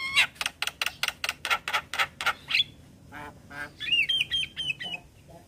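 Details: Black-winged starling singing with nodding display: a fast burst of harsh rasping squawks about four per second, then quieter nasal notes and a series of short whistled wavering phrases.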